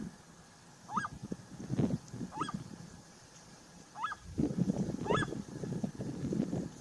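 Seriema giving four separate yelping notes, each sharply rising then falling, about a second or two apart, over heavy low rumbling wind noise.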